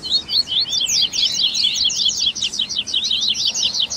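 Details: Loud, dense Double-collared seedeater singing meant to get a captive bird singing: high buzzy-sounding chattering notes packed tightly, zigzagging up and down without pause for four seconds.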